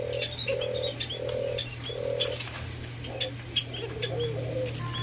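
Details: White-eared brown dove, locally called alimukon, during taming: four low, hollow, even coo notes spaced about half a second apart, then softer wavering notes, over high chirps of small birds and a steady low electrical hum.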